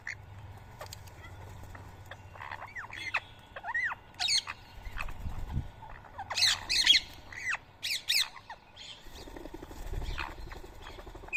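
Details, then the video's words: Rose-ringed parakeets gathered to eat soaked boiled rice in Coimbatore at 7 AM on 31 March 2024, giving many overlapping harsh, rising-and-falling squawks that come in scattered bursts against a quiet low background hum. "Indian Ring Neck Parrot Food Feeding Day 134"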